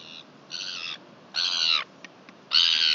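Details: Northern royal albatross, New Zealand, 23 July 2021: three loud, drawn-out, rasping calls of roughly half a second each, with faint clicks between them.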